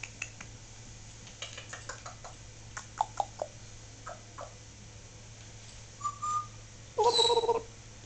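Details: Indoor pet Solomon Island Eclectus parrot, known for talking, makes scattered soft clicks and short chirps. It then gives a brief level whistle and a louder, harmonic squawk-like note at the end. A constant low hum runs throughout.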